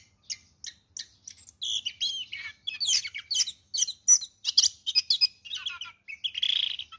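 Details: Orange-headed thrush kept in a cage, a prize-winning singer, delivering a fast, high-pitched run of sharp chirps, sweeping whistles and scratchy, mimicking notes that speeds up and grows louder and denser.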